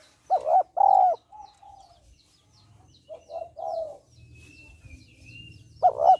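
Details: Female spotted dove cooing to stir males into calling: a loud double coo, a pause, then a softer three-part coo phrase, with another loud coo at the end and a faint thin whistle in the background.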